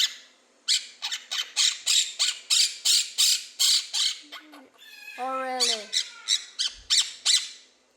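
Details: Pet quaker parrot laughing after being asked: a steady train of harsh, bright ha-ha bursts, then a falling, tonal, voice-like squeal in the middle, before the rapid chuckling resumes.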